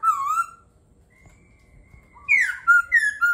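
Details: Laughingthrush song: a clear, wavering whistle, a quiet gap, then a loud swooping note and several shorter, bright whistled phrases.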